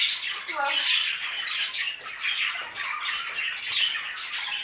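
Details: Budgerigars in an aviary, a flock giving dense, continuous high chattering and warbling with scratchy squawks, with a few lower tonal notes near the start.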